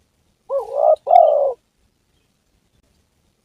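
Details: Spotted dove, recorded as a lure for trapping and hunting, giving two mellow, hoarse coos in a low pitch, the second longer and slightly falling, followed by silence.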